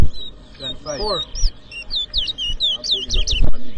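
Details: Competition towa towa in New Amsterdam, Berbice, Guyana, 2023, delivering a rapid string of high, swooping whistled notes that speed up toward the end, over a crowd's low talking.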